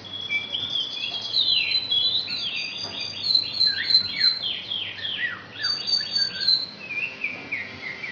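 An Asian pied starling pours out a fast, varied medley of high whistles, chirps and down-slurred notes, borrowing magpie-robin and canary phrases, over a faint steady hiss.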